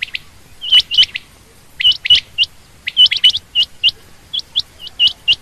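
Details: Female quail uttering rapid doubled, piercing chirps, a rising flick on each note, repeated in loose groups with short gaps between them.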